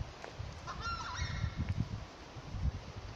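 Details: Southern screamer, known as tapacare or chajá, calling in the Santa Cruz Chaco: a single short, wavering honk early on, followed by heavy low-pitched rumbling and thumping noise for the rest.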